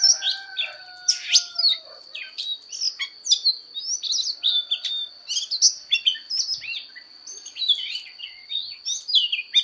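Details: Fighting song of an Oriental magpie-robin in voice training: long varied sequence of clear whistles, chips and downward slurs, energetic and continuous, with a few lower tonal sounds at the start and a steady high whine.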